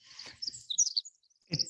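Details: A Pacific wren, singing on a stump in California and played back during a talk, gives a brief burst of thin, very high tinkling notes that jump sharply in pitch, called among the most complicated bird songs, with room noise and a soft thump at either end.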